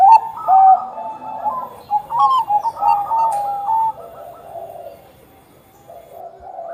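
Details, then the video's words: Zebra dove of the Bangkok type, used as a lure to set other perkutut singing: a clicking start, then about six quick warbled coos and a held final note, ending in a quiet murmur of background sound. "perkutut bangkok gacor - buat pancingan perkutut bangkok agar cepat bunyi"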